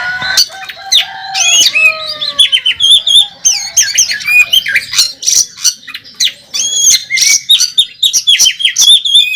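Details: Oriental magpie-robin competing on a contest track, a national winner in fighting mode: a few long descending whistles, then a fast run of varied chips, twangy slurs and trills delivered in rapid bursts.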